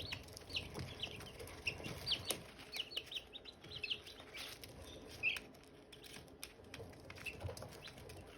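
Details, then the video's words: A brood of Silkie chicks with hatching eggs, bright high peeps coming in bursts and pauses, some clear single chirps standing out, along with scratchy shuffling and soft knocks. "Silkie chicks chirping, Hatching eggs chirping sounds"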